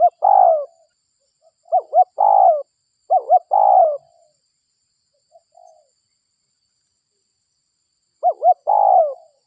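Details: Spotted dove, a local bird used as a lure: three close cooing phrases of two quick notes and a long falling coo, a quiet gap of several seconds, then one more phrase.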